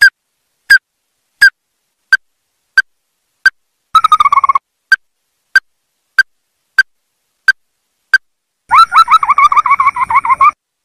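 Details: Ruddy-breasted crake call used for trapping: a steady series of short sharp notes about every 0.7 seconds, broken by a brief rattle midway and ending in a long, quavering, rattling trill.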